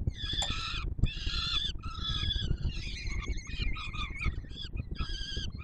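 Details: At a Warsaw nest on the Palace of Culture and Science, peregrine chicks beg as the male brings food, 7 July 2022; grating, harmonic wails in blocks under a second long, some wavering, over constant low rumble.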